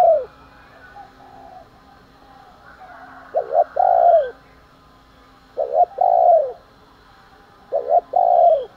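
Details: Morning and fight-provoking coo of a spotted dove: three matching phrases about two seconds apart, each a double stuttered note followed by a long, rich, downward-curving coo, with faint background noise.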